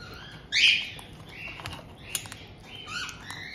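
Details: Captive white-bellied caiques in Tokachi, Hokkaido, Japan, on 2023/06/18: a resident pair greeting a newly arrived chick just over two months old. One sharp, rising squawk is followed by softer, scratchy chirps and faint tapping.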